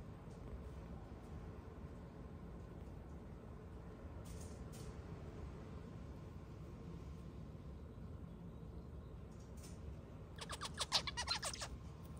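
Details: A white zebra finch gives a quick burst of harsh, buzzy song notes near the end while playing with its owner's hair, over steady low hum.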